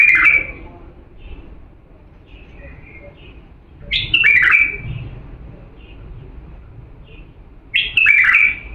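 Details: Authentic Diyala bulbul song, used to train young birds to sing: three bright warbled phrases, short, rich and slurred, at the start, middle and end, with faint soft notes between them.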